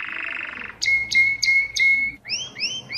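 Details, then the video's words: Mosaic canary: a buzzy low roll, four crisp separate notes over a flat whistle, then rising upward-swept whistled slurs repeated about three per second. "تغريد كناري الموزاييك"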